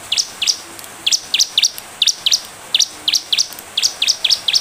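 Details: Bar-winged prinia in full song, played as a lure for other birds to respond: shrill rising-falling chirps delivered in quick doubles and triples without pause.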